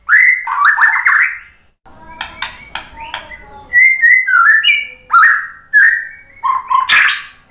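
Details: White-rumped shama singing a varied whistled song used to provoke other birds into singing; loud slurred whistles and rising notes, short sharp chips in between, phrases broken by brief pauses, ending with a harsh burst.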